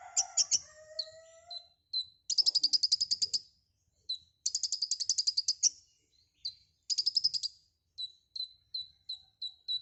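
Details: White-rumped shama, known locally as konin, singing a chatty song full of mimicked phrases: bursts of rapid high buzzy rattles alternate with low clear whistles and strings of short repeated chip notes, in an otherwise quiet background.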